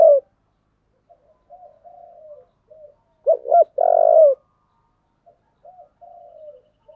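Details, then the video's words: Spotted dove singing in the 'giọng thổ' style: low, mellow coos. Soft murmured cooing phrases frame a loud pair of short hoots, followed by a long, strong, slightly falling coo near the middle. No other sounds. "cu gáy giọng thổ"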